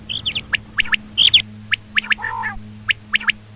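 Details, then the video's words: Common quail call used for quail hunting: sharp, high chirping notes in quick pairs and threes, with a brief harsher squawk midway and a steady low hum underneath. "Обыкновенный перепелиный зов"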